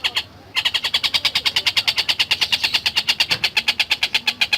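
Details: Long-tailed shrike (tengkek buto) in full, lively song: a fast run of harsh, buzzy, evenly repeated notes, about six per second, sustained without pause after a brief soft opening note.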